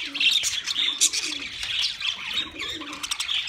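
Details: Pet budgies singing a busy high warble of quick chirps, trills and piercing squeaks, with faint low cooing notes in the background.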